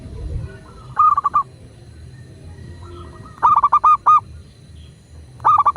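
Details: Zebra dove, a local bird, giving short phrases of quick, pulsing, hollow notes, three phrases about two seconds apart, over a quiet low hum; used as a master recording to get doves calling.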